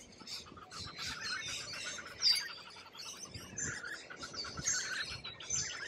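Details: Australian lorikeet calling: a busy mix of high, harsh chirps and short piercing squeals from more than one bird, irregular and overlapping, with a sharper shriek standing out near the middle.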